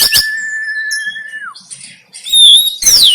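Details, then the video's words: Oriental magpie-robin fighting song in the 'konslet tarung' style, phone-recorded in Banten, Indonesia, used to train kept birds: a long steady whistle that drops at its end, then loud harsh sweeping notes and a bright rising whistle. "KACER KONSLET TARUNG"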